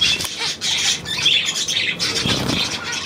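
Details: Budgerigars recorded on 9 February 2024, a dense chorus of high, scratchy chirps and squawks overlapping continuously, with brief wing flutters and a short gap near the half-second mark.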